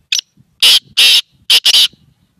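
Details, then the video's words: Black francolin call: a brief thin note, then loud harsh rasping notes in a halting rhythm, two spaced apart and then a rapid pair, over a quiet background. "Kala teetar"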